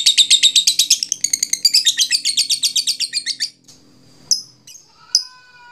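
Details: Lovebird ngekek, a long chatter said to excite listening lovebirds and raise their drive. Rapid, harsh, buzzy notes pour out for over three seconds at about eight per second. A few thin, high whistles and clicks follow.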